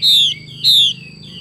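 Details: A female Chinese hwamei repeats its xùy call twice: strong, descending whistled notes about a third of a second long, separated by a short pause, then a quieter trailing note. A thin continuous tone hums behind.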